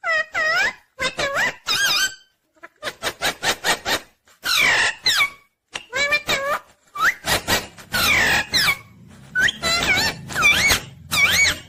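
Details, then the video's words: Pet green ringneck parrot indoors giving rapid bursts of squeaky, harmonic-rich calls, each note arching up then down, in dense chattering runs separated by brief pauses over nearly twelve seconds. "Original Sound Ringneck Green Parrot"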